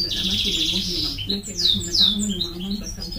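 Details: Elegant migratory goldfinch giving a buzzy trill followed by a few long, sweeping whistled slurs, quieter, over a noticeable low hum.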